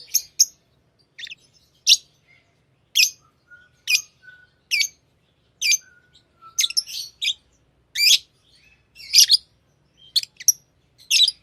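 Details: Tame pet lovebirds chirping: sharp, high broadband chirps spaced about a second apart, some in quick doubled bursts, with faint thin whistles between them in a quiet indoor setting.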